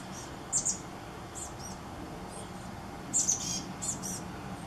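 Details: Chestnut-backed chickadee nestlings begging from their gourd nest during the morning before fledging in the early afternoon: two clusters of very high, thin, squeaky chips, each a short burst of two or three notes, over a steady low hum.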